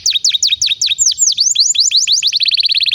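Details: A canary sings as a prompt to get other canaries singing and to train young birds; evenly repeated downward-swooping whistles quicken at the end into a dense, fast, high trill.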